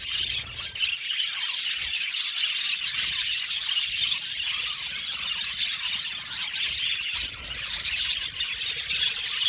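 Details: Several budgerigars chirping together: a dense, continuous wash of high, scratchy chirps, squeaks and warbles overlapping throughout, with no pauses and no other clear sounds.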